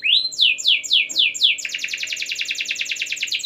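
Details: Canary in gacor style, loud continuous singing meant to make other canaries join in: five descending swooping whistles, then a fast, even buzzy trill of rapidly repeated notes, roughly four per second.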